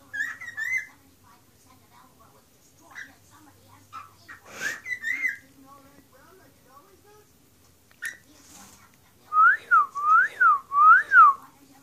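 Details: Pet bird whistling indoors on its new window perch, where it sings whenever placed; its owner is teaching it tune whistles. Clear whistled notes sound in short bursts, ending in three loud, rising-and-falling whistles repeated about every second, with brief soft voices.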